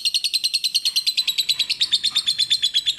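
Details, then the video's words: Lovebird heard on a tutor recording, with rapid metallic chirps repeated evenly at a high pitch for the whole stretch and a faint lower twitter in the background. "MASTERAN BURUNG LOVEBIRD JERNIH DAN BERJEDA"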